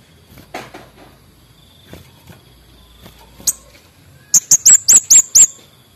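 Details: Orange-headed thrush, a male in full voice. Softer scratchy sounds and a lone sharp note lead into a loud, evenly spaced run of six high, clear, descending chips, with a thin insect whine underneath.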